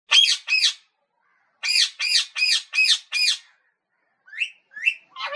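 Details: Parrot giving harsh, loud squawks in a pair then a run of five evenly spaced, followed by three shorter, softer upward-sliding calls.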